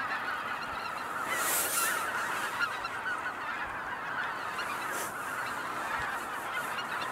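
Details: Dense honking of cackling geese at Kejonuma, many high voices overlapping continuously, with a few loud hissing bursts and faint low thumps scattered through.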